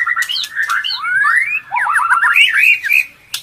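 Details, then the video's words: Female white-rumped shama in breeding condition, calling to stimulate males, while feeding its chick: a tumbling run of varied whistled notes, rising slurs and quick chattering phrases with brief pauses. "Suara Pancingan Murai Birahi untuk pancing Jantan Birahi"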